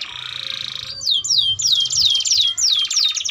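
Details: Canary singing to tutor young birds: a buzzy trill, then a string of downward-sliding whistles repeated roughly three times a second.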